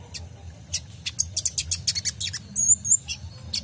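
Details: Sunbird (kolibri ninja) song for training caged songbirds: a quick run of sharp, very high chips followed by a thin wavering whistle, then more chips, over a faint low hum.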